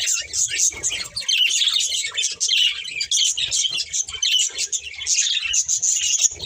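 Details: Two budgerigars, a breeding pair, keep up a lively chirping chatter: overlapping high twitters and buzzy warbled notes in quick bursts, with soft low thumps now and then.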